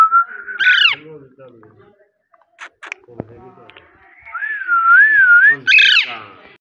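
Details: Parrot giving a loud whistled call: a steady tone that wavers and rises, with harsh, noisy bursts near the start and end and a quiet gap of faint clicks in between.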